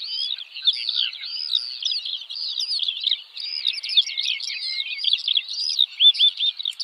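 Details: A lark delivers a steady, dense torrent of high twittering, looping whistled notes without any pause, varied and bubbling throughout.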